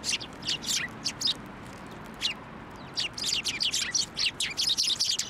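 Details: Sparrows flying onto a hand to be fed at a Tenmangu shrine on 17 January 2024; a rapid series of high, short chirps and twitters from several birds, denser and busier toward the end, over faint background hiss.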